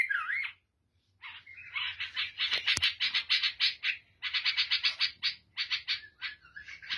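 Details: Lebanese or Syrian bulbul with a black head: a slurred opening note, then long fast strings of harsh chattering chirps, about three a second, with one sharp click.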